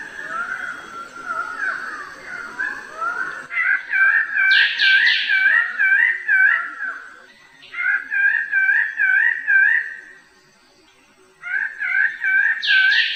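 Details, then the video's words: Bird-of-paradise song in bursts of rapid, wavy, whistled notes that rise and fall, with pauses between the runs. The bursts open with a brief rough, noisy passage and are joined by sharp high squeaks. "¡Escucha el canto del AVE DEL PARAISO!"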